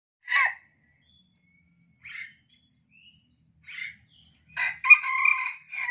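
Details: A wild junglefowl, apparently being lured with a decoy bird, gives three short, sharp calls spaced over a few seconds, then a hoarse, clipped crow that breaks off abruptly. No other sounds stand out.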